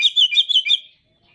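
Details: Oriental magpie-robin (kacer) masteran song: a rapid burst of about six bright, warbling whistled notes lasting under a second, then silence.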